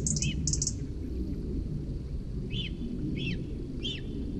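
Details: Young cinereous vulture at its nest in Sierra de Guadarrama National Park, Rascafría, in its food-begging ritual as an adult approaches: a few rising-falling squeaky notes spaced roughly half a second apart after sharp high ticks, over a steady low rumble.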